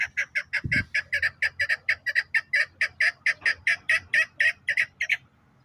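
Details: Chukar partridge, Pakistan's national bird, calling in a fast, steady run of loud, harsh chuck notes, about two per second, keeping an even pace before stopping abruptly; one low thump near the start.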